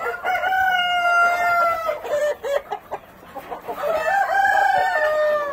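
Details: Black Copper Marans rooster at a breeding farm. Two long crows, each a held, slightly falling note, are separated by a burst of short clucking notes.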